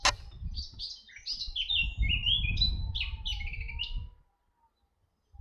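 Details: A red-backed shrike at Artomaña, Orduña, Bizkaia, Spain, in 2025 gives a fast string of sharp, slurred chirps lasting about four seconds. Steady low wind rumble runs under it, then silence.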